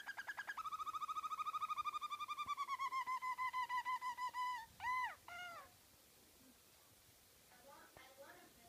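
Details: Harzer Roller canary singing a smooth rolling tour of fast regular pulses that gradually slows and drops in pitch, then breaks into a few separate swooping notes before fading to quiet with faint calls.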